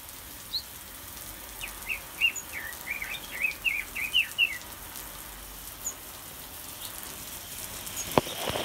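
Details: Red-billed leiothrix (Pekin robin) singing in an aviary: a quick run of short whistled and chirpy notes near the middle, rising and falling, over a soft hiss with faint background ticks.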